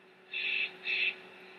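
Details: Big Bear bald eagle chicks, restless and keeping their mother awake, give two high, harsh, squealing calls, each about a third of a second long, half a second apart, over a faint steady background hiss.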